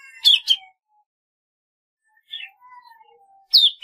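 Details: Golden-fronted leafbird song: two sharp descending chirps, a pause, then softer warbled notes and a low sliding whistle before another loud downward-swept chirp.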